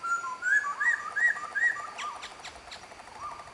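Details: Black-throated laughingthrush singing at Bạch Mã, Vietnam: clear, mellow whistled phrases rising and falling, about three notes a second, then a quick run of sharp downward-slurred notes and a low closing whistle.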